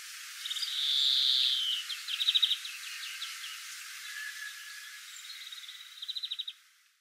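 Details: European greenfinch, a garden bird, singing its long, cheerful, canary-like song: a drawn-out buzzy wheeze, quick twittering trills and whistles, then a final rapid rattle-like trill, all bright and high-pitched.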